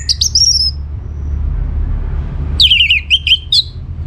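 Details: Orange-headed thrush in lively song, played to prompt other birds to answer: a brief high whistled phrase, then after a pause a burst of rapid, slurred, descending notes, over a low rumbling background hum.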